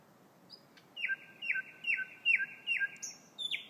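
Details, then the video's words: Thrush nightingale singing very loudly: a run of six strong, evenly spaced notes, each a falling whistle, repeated about twice a second, with faint high ticks between them. "Thrush Nightingale"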